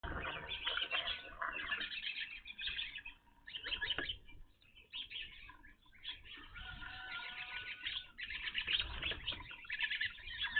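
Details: Evening grosbeaks gathered at a bird feeder, first seen at this site: dense overlapping chirps and short buzzy notes from many birds, pausing briefly near three and five seconds before the chatter resumes, with soft tapping below.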